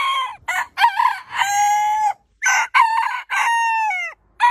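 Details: Roosters crowing one after another in a heritage-breed compilation; clipped opening notes lead into long, level crows that droop and break at the end, with short gaps between.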